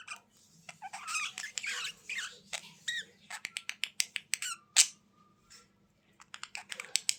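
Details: Budgerigar warbling inside a small room: long stretches of scratchy, buzzy chatter broken by rapid clicks and short squeaks, with brief pauses and a steady background hum.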